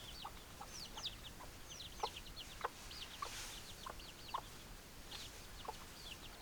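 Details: Hens cluck in a group, with spaced short low notes roughly every half second to second and overlapping higher thin chirps above a steady background hiss; no crowing heard.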